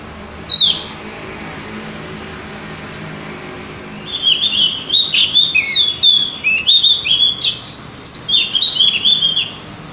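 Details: Single high chip, a quiet pause, then an extended rapid twittering song from a Javan grey-throated white-eye, sharp note clusters tumbling up and down; a prompting recording for singing birds.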